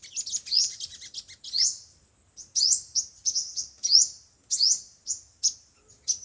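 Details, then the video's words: Five- and seven-colour sunbird song used for speaker trapping: loud high upslurred chirps in short bursts, separated by brief pauses, with thin sustained high tones behind them. "Tiếng chim hút mật 5 màu và 7 màu"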